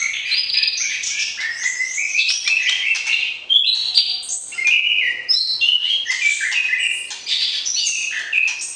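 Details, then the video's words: Caged white-rumped shama in breeding pairing, singing to excite the opposite sex: a continuous rich stream of ringing whistled notes jumping up and down in pitch, dense and musical throughout. "PERJODOHAN Murai Batu, PANCING Birahi Lawan Jenis , Agar siap Masuk kandang Ternak"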